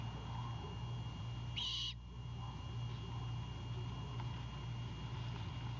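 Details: A single harsh, breathy screech from a great horned owlet at the nest at night as it defends a bird brought by its father, followed by quiet low humming.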